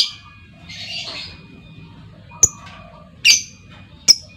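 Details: Female lovebird calling so other lovebirds answer: a hoarse rasp at the start, then thin, very high clicks and a brief shrill squawk spaced irregularly.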